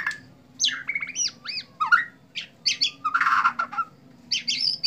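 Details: White-rumped shama during a bowing display, giving loud varied whistled phrases mixed with harsh buzzy bursts and squeaky notes in quick succession.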